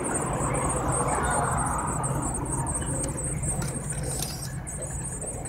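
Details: Eurasian blue tit nestlings, 7-9 days old, begging while being fed: a continuous stream of very high, thin, rapidly repeated squeaks over a steady low hum, with a few soft clicks near the end.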